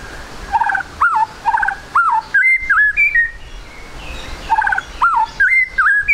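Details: Repeated looping whistled phrases from a spotted 'trotol' white-rumped shama, played as a lure to start other shamas singing. A short warbled motif returns about every second, mixed with level and dipping whistles.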